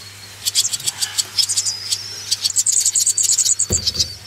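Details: Swallow chicks in rearing, giving high squeaky begging twitters that build into a quick run of peeps, ending with a brief low knock.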